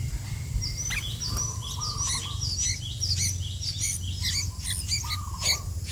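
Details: Sooty-headed bulbul calling actively, described as cooperating remarkably well: irregular, thin high chirps and short downslurred notes follow each other quickly. Lower, flat whistled notes sit between them, over a steady low rumble of background noise.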